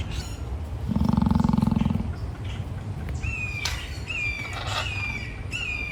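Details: An emu at an animal park gives a deep, rapidly pulsing, dinosaur-like snort lasting about a second while grooming itself. Afterwards, another bird repeats short, high, level whistles.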